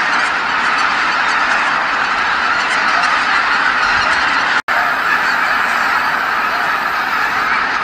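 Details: Returning from feeding, huge numbers of geese fill Kabukuri-numa marsh with calls at dusk; continuous dense honking from the massed flock, interrupted by one abrupt silent gap partway through before the chorus resumes.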